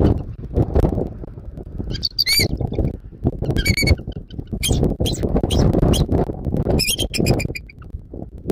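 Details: Bald eagle at a Southwest Florida nest, early morning of 14 January 2024: several separate bursts of shrill, squeaky chittering notes, each a short stuttering series, spread across the clip beneath constant buffeting wind noise.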